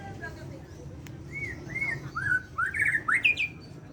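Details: White-rumped shama of Borneo singing in the morning: clear whistled notes, first a few short downward-slurred whistles, then a quicker run of rising and jumbled warbled phrases climbing higher toward the end, over a faint low background rumble.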